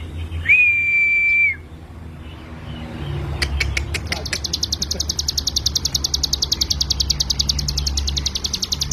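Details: Ciblek gunung, or hill prinia, in rapid 'ngebren' song for tutoring other birds: a flat whistled tone first, then a few sharp clicks, before a fast, regular trill of high buzzy notes fills the rest.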